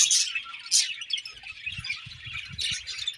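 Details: Budgerigars chirping in the morning: scattered high, scratchy twitters and squeaks, louder bursts near the start and end, quieter chatter between, with faint low thumps underneath.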